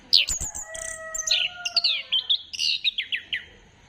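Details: Orange-headed thrush song meant to get other birds singing, 15 December 2025: sharp high notes and long steady whistles, then a rapid series of short, downward-slurred notes repeated in quick succession.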